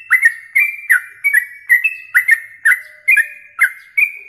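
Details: Yellow-vented bulbul contest training song meant for morning and night use. A steady run of bright, liquid slurred phrases, each opening with a crisp click, repeats about every 0.4 seconds without pause.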